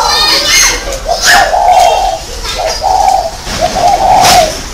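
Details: Spotted dove calling as a decoy bird in Ba Vì, Hanoi, on 27 December 2018: a clear series of mellow, mid-pitched coos in short groups, with brief chirps and noise behind.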